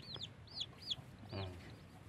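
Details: Recently hatched chicks with their hen, a blackish mother. Four loud, clear peeps, each a quick high arch that drops away, come about every third of a second over a low background hum.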